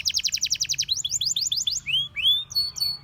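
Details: Canary song opening with a fast, even trill of sharp notes, then a run of downward-sweeping whistles, ending in longer rising and level pure tones.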